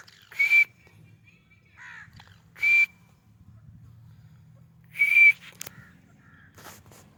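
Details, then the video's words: Calls of a white francolin, known locally as white teetar: three loud, sharp notes with a thin whistled tone, spaced about two seconds apart, softer brief notes in between over a low background rumble. "white teetar ki awaz"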